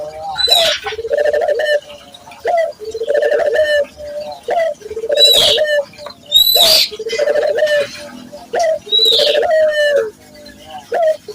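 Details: Vigorously cooing local Barbary dove, used as a lure to train local doves: a steady run of low, rolling coos with a short opening note, about every two seconds, with occasional high chirps from other birds.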